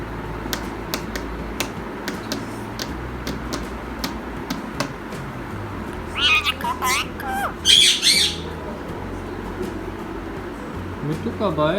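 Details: A pet male Indian ringneck parakeet that speaks Urdu chatters in high, squawky bursts, mimicking the greeting "Assalam alaikum", with a person's voice and room sounds behind it.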